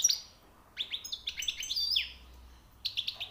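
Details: Freshly trapped European goldfinch delivering high, rare song notes: quick runs of sharp, descending, chirpy notes and liquid twitters, a short silence, then a brief renewed burst.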